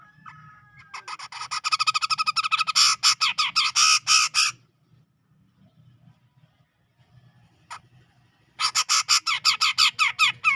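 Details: Sumatran forest grey-cheeked bulbul, from the Medan area, chattering hard: an accelerating string of harsh grating notes lasting over three seconds, a quiet gap with one short note, then another rapid harsh series.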